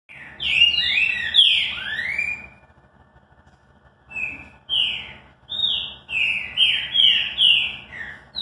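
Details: Green-winged saltator singing its classic song: bright, clear whistled phrases of rising and falling slurred notes. A rich burst opens the clip, and after a pause come a string of short, sweet, evenly spaced whistles.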